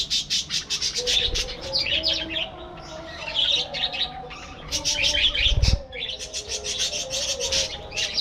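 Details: Budgerigars in a breeding colony chatter loudly: fast runs of clipped chirps and warbling squeaks, a louder rush near the middle, with low tones droning beneath throughout.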